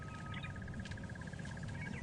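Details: Francolin calling in the African bush at sunrise on 12 October, during a safari drive near elephants. It gives a steady run of quick, harsh, evenly spaced notes, about eight a second, over a low engine rumble, with magpie shrikes, drongos and other birds.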